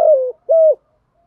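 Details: Spotted dove calling to lure wild doves and train decoy birds: two low, smooth, slightly falling coos about half a second apart, in a quiet setting.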